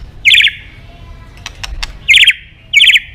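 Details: White-rumped shama calling a rival: three loud, harsh, buzzy bursts with quiet clicks between them.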